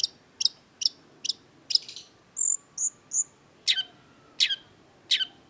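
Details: Cendet, or long-tailed shrike, in lively song: a rapid row of sharp high chips, three short pure whistles, then three loud descending sweeping notes spaced under a second apart.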